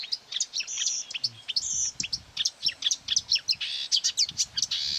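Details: On 9 May 2020 near quarry workings, a marsh warbler lured by playback of its own song from a hung mobile phone attacks it furiously and tries to outsing it: a fast, unbroken run of high chirps, trills and buzzy mimic-like notes.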